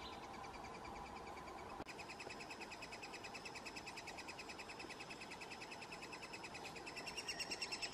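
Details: Three-toed woodpecker at its nest in Oslo, June 2018: a fast, steady series of thin, high, buzzy chirps, about ten per second, growing louder toward the end, over soft background noise.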